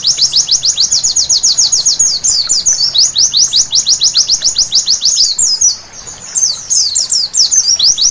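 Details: Night white-eye song for therapy that spurs vigorous singing: rapid high chirps sweeping downward in quick runs, alternating with looser twittering phrases and one brief quieter gap.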